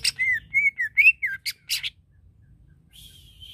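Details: Greater green leafbird song used to provoke another bird's aggression: a run of clear whistled, slurred notes near mid-high pitch, then sharp high chips, a pause and a faint drawn-out whistle.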